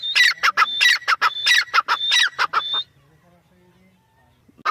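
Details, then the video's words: Teetar, a partridge, calling in a rapid run of loud, rasping, ringing notes for under three seconds before going quiet, with one faint call at the end. "teetar full Masti Sound teetar Awaz"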